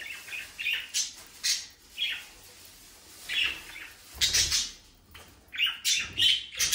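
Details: Budgerigars giving separate sharp chirps and short warbled squeaks in quick bursts, roughly one every half second, with small pauses between phrases.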